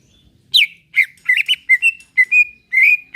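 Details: Greater green leafbird singing a relaxed strain meant to make caged birds sing: loud slurred whistles, a quick doubled note, then longer level whistled tones.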